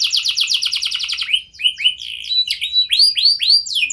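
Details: Canary singing as a lure for other canaries: rapid repeated downslurred notes for over a second, then slower, separate upswept whistles and chips, loud and clean.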